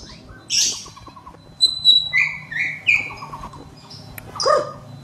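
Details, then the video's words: White-rumped shama singing, used for training birds in the morning: scattered high whistles and short buzzy notes, with soft dry rattles in the background and quiet gaps between phrases. "Murai Batu Gacor Dor Full Isian || Untuk Melatih Burung Di Pagi Hari"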